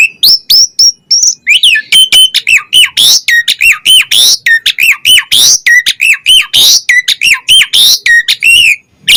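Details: Asian pied starling pouring out a dense, continuous run of bubbly slurred whistles, squeaks and harsh buzzy notes, delivered rapidly and without a break.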